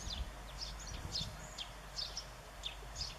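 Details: Greenfinches feeding a young one with sunflower seeds in September 2014; sharp, high descending chirps sound roughly once a second, with a soft low background hum.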